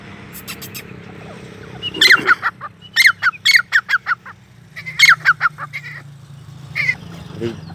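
A grey francolin gives loud, harsh, ringing notes in quick bursts of three to six, repeated every second or so, over a low steady hum.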